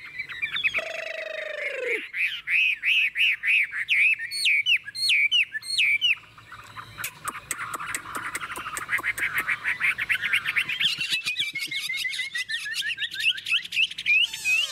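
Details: Caged Chinese hwamei, Tuyên Quang, Vietnam, with a wild-type voice: a brief nasal drawn note, then repeated rising whistled phrases, a burst of rapid clicking chatter and long falling whistled slurs.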